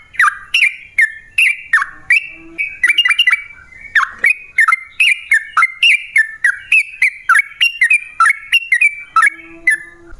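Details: Yellow-vented bulbul in prolific lure song to set other bulbuls singing: rapid chattering whistled notes, dropping slurs and quick doubled chirps, delivered continuously with a brief faint hum in places.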